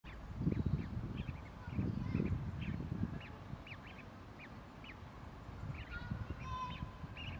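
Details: Juvenile Great Crested Grebe begging for food at East Park, Hull, piping thin, high, short notes several times a second over a heavy low rumble of wind or water.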